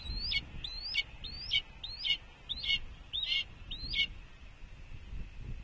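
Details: Red-tailed hawk at Cornell, 5 June 2021 at 14:32: seven thin, high, upslurred whistled notes, about one every 0.6 seconds, over a low background rumble.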